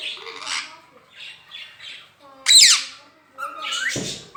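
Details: Rose-ringed parakeet kept as a talking pet, mimicking the phrase "Mian Mitthu Chori Khani Ha": soft, murmured speech-like syllables followed by a loud, harsh squawk and a further nasal chattering phrase.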